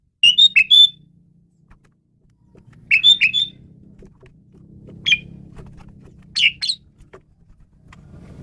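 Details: Asian pied starling song meant for training songbirds: short clusters of two or three sharp whistled notes every couple of seconds, over a steady low background hum.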